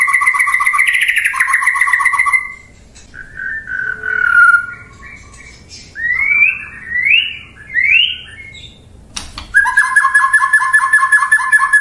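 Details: White-rumped shama singing loudly: rich warbled phrases, then brief pauses broken by rising, slurred whistles, and finally a fast, chattering stretch of rapid repeated notes.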